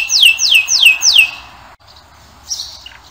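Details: Canary song fragment: four loud, clear down-slurred whistles in quick succession, then a pause with faint soft notes.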